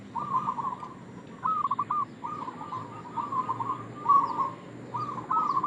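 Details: Zebra dove, a local Indonesian perkutut, calling as a lure for other doves: soft trilling coos in rippling phrases, some long and run together, with brief gaps, faint background hum and a few high chirps.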